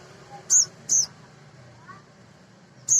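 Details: Short, sharp, very high chirps from a male sogon, a small nectar eater played to stimulate other birds; a close pair, then a lone note after a pause, with low murmuring noise behind.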